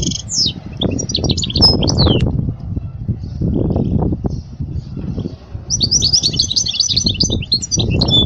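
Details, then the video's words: European goldfinch song used to teach young goldfinches: a short run of bright twittering notes, a long gap filled with low rumbling and thumping noise, then a dense liquid twitter returning near the end. "اجمل غناء لتعليم صغار الحسون"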